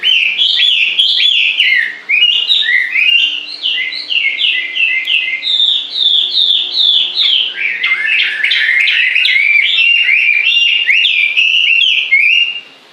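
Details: Long unbroken birdsong: rapid chains of sharp rising and falling whistled notes, tumbling on for over ten seconds with one brief pause early on, bright and high-pitched throughout.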